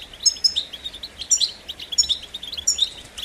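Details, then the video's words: European goldfinch uttering rapid, high, jingling notes in short repeated bursts about every half second, over steady background hiss. "Highlighting motivating songs for creative goldfinches in simple ways"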